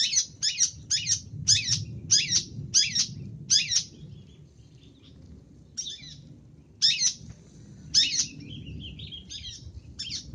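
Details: Long-tailed shrike, recorded as a lure sound: eight loud rasping notes in quick succession, about two per second, then a pause and irregular harsh calls with softer chatter between, over low background rumble.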